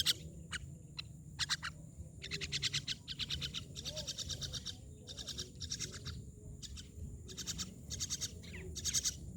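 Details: Myna giving harsh, rasping chattering bursts, each a quick train of buzzy pulses, repeated irregularly with short gaps, over a steady low background rumble.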